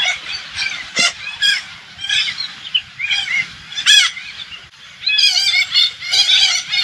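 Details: Alexandrine parakeets, hundreds strong, descend on a diverse organic farm in the Thai countryside. Harsh, grating squawks come in uneven bursts over a constant chattering din, growing into a dense roar near the end.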